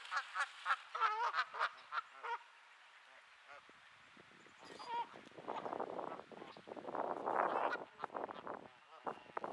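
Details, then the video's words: In Sainte-Adèle, Quebec, on a cool overcast May 2022 afternoon, grumpy geese give a quick string of nasal honks. A short gap follows, then harsher, rasping calls mixed with rustling. "Grumpy Geese"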